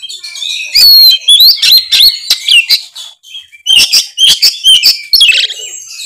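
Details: Kacer, or Oriental magpie-robin, in vigorous gacor song: fast mixture of piercing whistles, upslurred notes and scratchy bursts, with a brief dip midway before the loud phrases resume.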